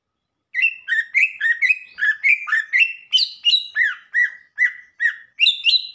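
A Greater Green Leafbird sings a lively run of rich, varied notes, about two a second. Slurred whistles and chirps jump between mid and high pitch, with no other sounds.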